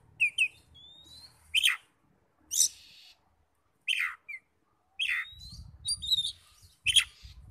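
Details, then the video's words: Lure song of an Oriental magpie-robin, meant to stir other magpie-robins to respond: separate loud downslurred harsh notes, a thin rising whistle, quick high chirps and rasping bursts, with low background rumble toward the end. "PANCINGAN NAIKAN EMOSI KACER 100% IKUT NYAUT NGEPLONG"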